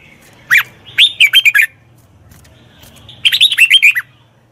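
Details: Red-whiskered bulbul (chào mào) song used to train a wild-caught bird: two loud bursts of rich, liquid whistled notes, slurring down then up, each phrase about five quick notes, separated by a pause of roughly a second and a half.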